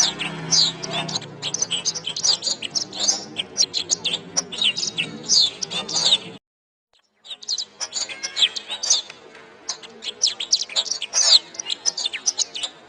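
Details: Canary song from a master recording for training songbirds: dense, rapid high twittering and trills with quick chirps and warbled phrases, a brief gap of silence near the middle, then more fast trilled song.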